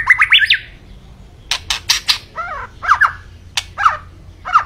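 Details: White-rumped shama (murai batu) singing loudly: quick rising whistled notes, clicking bursts, a descending wavering phrase and further whistled slurs at a steady pace.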